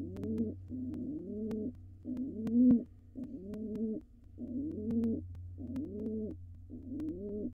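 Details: Courtship before laying: a wild male pigeon coos to a dancing female inside a nest box. About eight low, gurgling coos in a steady series, with occasional clicks over a steady low hum.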